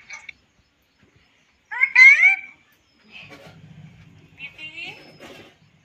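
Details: Pet parrot talking indoors: a loud drawn-out squawky word with rising tones, then softer mumbled speech-like phrases and a human voice in the background.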